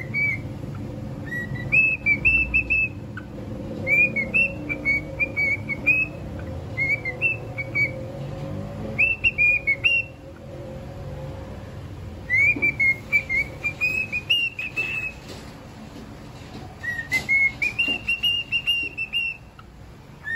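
A cockatiel sings clear, bright whistled phrases that rise and dip, repeated in quick bursts.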